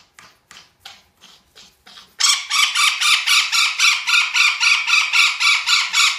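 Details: Golden parakeet calling: a few softer, spaced harsh notes, then a loud, steady run of raspy squawks repeated about four times per second, with a prominent harsh tone throughout.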